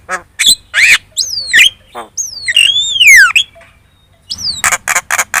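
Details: Javan myna lure song for drawing answers from other birds: squawks and clicks, long looping whistled slurs falling and rising, a pause, then a fast series of harsh rasping notes.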